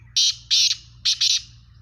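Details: Black francolin, the Sindhi Kala Teetar: four loud, harsh rasping bursts in two pairs, each note grating and broad, with a steady low hum beneath.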